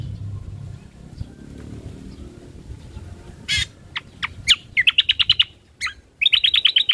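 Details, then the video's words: Ruby-throated bulbul, an original recording used as a lure and tutor track. A quiet start gives way to scattered sharp notes, then two fast rattling runs of bright chirps separated by a brief pause. "Suara Asli Burung Cucak Kombo"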